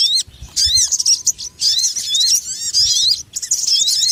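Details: Sogon birds used as a trapping lure: squeaky, piercing chatter of rapid upslurs and downslurs in several dense bursts, with a faint steady hum behind.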